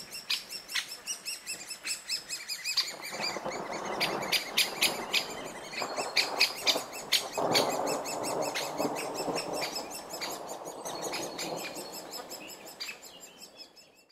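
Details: A great spotted woodpecker feeding its young by the Vistula in the Middle Vistula Valley Natura 2000 area, giving sharp, high chips in a rapid, uneven chatter, several notes each second. An approaching storm is heard in the background.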